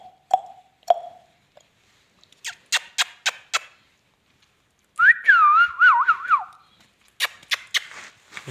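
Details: Indian ringneck parakeet talking: two low hums, a string of sharp clicks, then a sustained wavering whistled phrase that swoops up and down, followed by more clicks.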